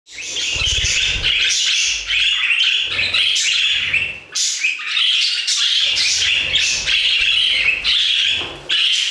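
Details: Budgerigars singing together in an aviary: a dense, continuous warbling chatter of buzzy, scratchy notes and squeaky chirps, with brief pauses and some low thumps.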